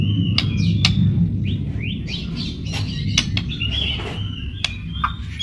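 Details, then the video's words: White-rumped shama pouring out a varied song of short whistles, slurs and sharp clicks, played to lure shamas into singing, over a steady low rumbling background noise. "Masteran burung murai pancingan suara burung murai burung murai gacor"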